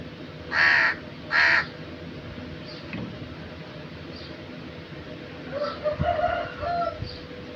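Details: Crow giving two loud, harsh, hoarse caws in quick succession, each under half a second long, followed by quieter scattered chirps and rough calls from other birds over steady low background noise.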